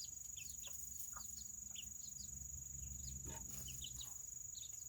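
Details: Serama chickens, the world's smallest chicken breed, kept in a coop on a rainy Saturday. Soft, high peeping notes are scattered several times per second over steady rain hiss and a constant high whine.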